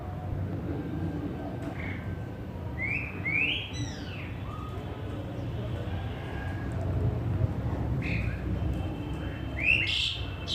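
Asian pied starling giving scattered whistled and slurred notes, some rising and some falling, with a few harsher bursts near the end over a steady low rumble.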